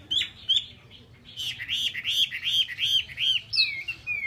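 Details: Chinese hwamei, a cage bird kept in Vietnam, singing a string of loud whistled slurred notes, rising and falling, repeated rapidly at nearly three per second after a brief opening phrase.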